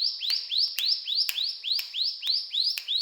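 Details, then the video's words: Brown prinia singing energetically in the rattling cetrakan style: a steady series of short upward-sweeping chirps, about three and a half per second, each rising sharply before leveling into a high bright tone. "Burung Ciblek Gunung Gacor Cetrakan"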